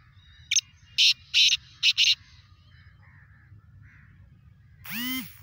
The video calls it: Kala Teetar ki Bolari | Kala Teetar Ki masti | kala Teetar Awaaz | black partridge